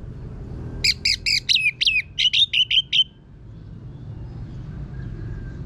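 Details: Orange-headed thrush (anis merah), kept bird, singing a harsh-voiced lure song used to prompt other birds to sing: one rapid burst of about ten scratchy, chirping notes over two seconds, then quiet with low background hum.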